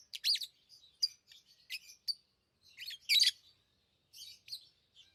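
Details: Lovebirds chattering with piercing, scratchy chirps, a loud pair at the start and another near three seconds, softer notes trailing off at the end.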